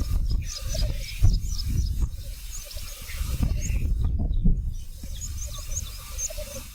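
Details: Black grouse at a North Wales lek: bubbling, rolling coos repeat in short phrases while other small birds chirp high and briefly, with gusty wind noise throughout.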